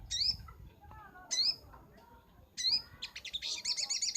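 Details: Sunbird singing in a master recording meant for training birds: three short sharp upward-sweeping chirps about a second apart, then a fast high rattling trill at the end over soft background hiss.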